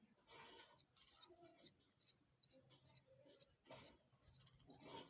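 Bulbul chicks give rapid, high, thin chirps, about two a second, as they are fed. Faint low cooing sounds underneath.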